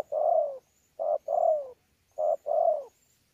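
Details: Wild-caught spotted dove from Sa Thầy, Kon Tum, recorded 26 November 2019, giving a contest-style coo mixed with bowing coos: a short low note, then a longer descending hoot, repeated three times.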